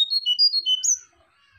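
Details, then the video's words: Sunda bush warbler (brown jongkangan/cingcoang) lure and training recording: a quick run of high, thin whistled notes stepping up and down in pitch, ending on one sharper, higher note, all within a second. "suara pikat burung jongkangan atau cingcoang coklat"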